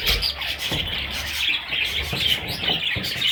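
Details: Little parrot babies give shrill, closely packed peeping calls, a constant high twitter with sharper bright notes standing out every fraction of a second over faint knocking sounds.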